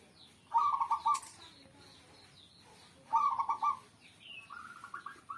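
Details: Zebra dove giving repeated rolling coo phrases about every two and a half seconds, each a rapid stutter of notes, with a brief wing flap early on and faint chirps behind.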